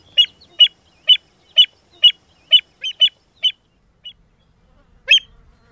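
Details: American avocet on the Albany mudflats in mid-October, 2013, feeding among shorebirds, gives sharp, high 'kleep' notes about twice a second, nine in a row, then two spaced notes after a pause; otherwise quiet.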